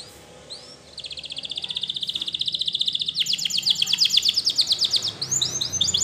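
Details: Belgian canary delivering a long accelerating trill of pulsed whistled notes that grows louder and richer, ending with quick descending sweeps.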